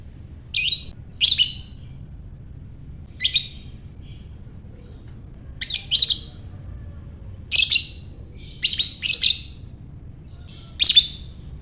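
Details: Lovebird ngekek to spur other lovebirds on: about a dozen short, piercing, scratchy bursts, often in pairs, spread irregularly across the recording, with faint high squeaks between them.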